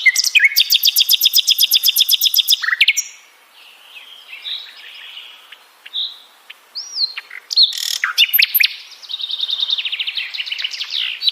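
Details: Sikatan londo flycatcher with a lively song. A long rapid buzzy trill, varied twittering phrases and a clear rising whistle, then loud chips and another fast, dense trill.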